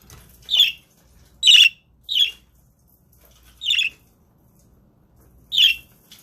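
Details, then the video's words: Father budgerigar guarding eggs gives five short harsh squawks at irregular gaps, each a noisy high burst under a second long, indoors with little else heard. "Dad dont want me close to the eggs"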